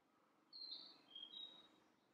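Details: Narcissus flycatcher, a summer visitor heard but not seen at Miho Citizens' Forest, Japan: two clear high whistled notes, a bright slurred tone then a lower steady whistle, against soft background noise.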